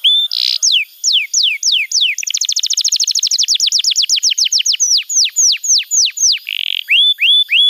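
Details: Canary master song for young canaries: a short burst, spaced downslurred whistles, then an accelerating fast trill that slows back into falling notes and ends with rising whistles.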